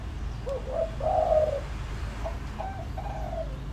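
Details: Decoy spotted dove giving a softer, more distant-sounding phrase: a short lead note, a longer hollow coo, then fainter trailing coos over a steady low hum.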